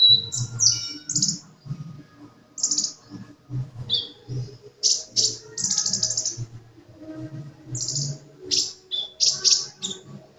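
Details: Sunbird in lively song: bursts of very high, sharp chirps and brief thin whistles come in quick clusters separated by short pauses, with a steady low hum underneath.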